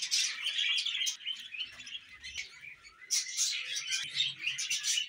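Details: Pet budgerigars chattering in a steady, dense warble of scratchy chirps and squeaks. The first second is loud, a softer quieter stretch follows with a faint low murmur, then the busy twittering swells again.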